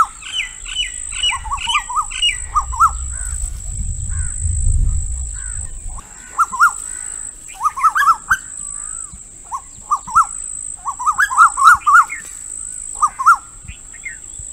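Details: Female Asian koel giving rapid runs of harsh, hooked notes, with higher chirping birds in the background at the start, a low rumble early on, and a constant high-pitched whine underneath.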